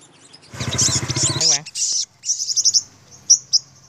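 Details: A five-coloured sunbird confronts dominant wild birds, which attack and fight a decoy bird near a house. It gives thin, very high twittering chirps in quick bursts, briefly overlapped by a man talking.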